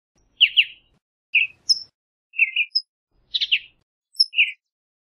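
A western bluebird gives soft, burry chirps, often doubled, about one note-group every second at a middling-high pitch. The background is quiet.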